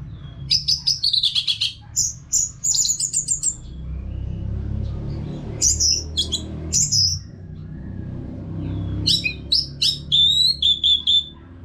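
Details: Orange-headed thrush song, used to train caged birds: clusters of sharp, varied whistles and chattered notes in several bursts, with a steady low rumble underneath.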